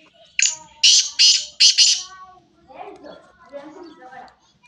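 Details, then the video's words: Black francolin calling with a phrase of four loud, rasping, grating notes, followed by softer low murmuring voices. "kala teetar ki awaz black teetar ki awaz sindhi teetar ki awaz"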